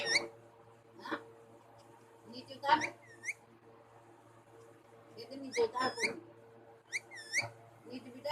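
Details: Pet parrots, two birds, trading rapid nasal chatter and bright sliding calls in clustered bursts, with loud grating squawks around the middle and near the end, backed by a faint steady hum.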